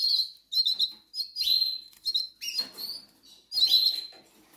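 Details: Hungry goldfinch chicks in the Canary Islands: short bursts of high, squeaky begging notes, each burst rising and falling, interrupted by soft rustling.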